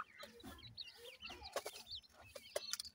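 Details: Little grey francolin chicks calling their mother: soft, high, slurred peeps repeated close together over a brief moment, with a few sharp clicks.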